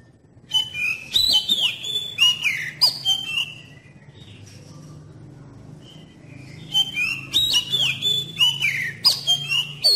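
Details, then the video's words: Magpie-robin singing a lure song meant to prompt young birds to sing. Bursts of varied whistles, slurs and sharp chips give way to a quiet pause of several seconds, then a busy run of notes resumes, over a low background hum. "terapi KACER PANCINGAN terbukti ampuh bikin kacer muda cepat bukpar dan GACOR"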